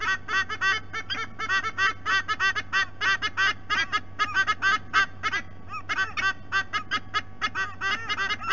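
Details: Adult white-bellied sea eagles vocalizing at their nest, recorded by a nest camera at Sydney Olympic Park, Australia. They give quick honking, cackling notes in uneven bursts, sometimes overlapping, over a constant low electrical hum.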